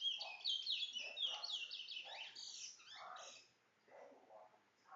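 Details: Towa towa, also called chestnut-bellied seed finch, singing rapid bright twittering and warbled high phrases for about three seconds, then falling quiet while a person talks in the background.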